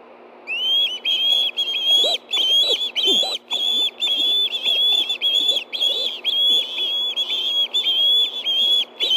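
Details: Ospreys at a nest in Hellgate Canyon, Montana, food calling at 7:39 p.m. on 9 September 2013 as one seizes a fish. Steady chain of high, sharp whistles, nearly two per second, with soft rustling below.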